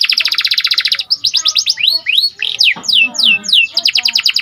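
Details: Canary of the panda variety, symmetrical pattern, singing hard to rouse other canaries. A rapid dry rattle for a second, then a string of bright sweeping slurs, and the rattle returns to close.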